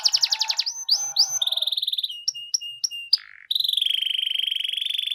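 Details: Canary song meant to trigger a response from canaries reluctant to sing: quick trills, curved whistle notes, a few spaced clicks, then a long, even, high rolling trill.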